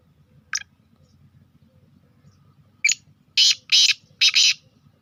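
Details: Sindhi kala teetar, a black francolin of the speeder type, gives an isolated sharp note, a pause, then a short note and three loud rasping, grating bursts in close sequence over a quiet low hum.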